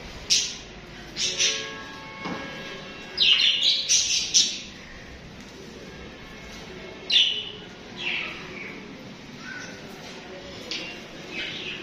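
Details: Several pet budgies (parakeets) chirp and chatter in an irregular run of bright, scratchy chirps and squawks, some with clear tonal harmonics, bursting in clusters across twelve seconds.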